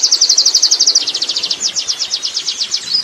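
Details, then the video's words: Oriental white-eye from the wild in ngerol song, a quick series of thin, high chirps about four per second that softens into looser, slightly hoarse repeated notes, over a noisier background. "suara burung pleci ngalas ngerol"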